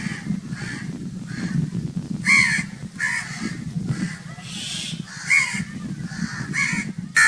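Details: Crows keep up a loud chorus of harsh, repeated caws, some sharper and brighter than others, against a steady low background noise.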